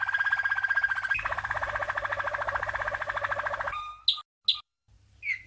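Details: A 1997 champion Waterslager-type Malinois canary delivers a long, even, rapid trill that shifts pitch midway, followed by a few isolated chirps, recorded as training song for young birds.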